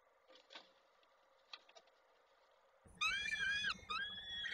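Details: Peregrine falcon chick at a nest in Koszalin, Poland, 16 May 2022, fed by its mother while a leg is stuck in a beak. Faint soft calls first, then loud harsh wailing calls with a brief pause.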